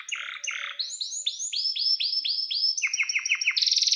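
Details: Canary in energetic song, played to tutor young canaries: buzzy notes, a series of clear rising-falling whistled sweeps repeated about every quarter second, quick descending chirps, and a final rapid high trill.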